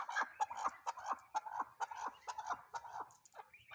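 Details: Chukar partridge giving a run of short, clucking chuck notes, about two per second, mid-pitched and slightly uneven, with a brief higher note near the end.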